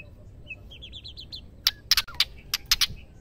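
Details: Female white-rumped shama song, played to make male shamas sing: a quick series of rising whistled trill notes, followed by several sharp loud clicking ticks against a faint background hiss.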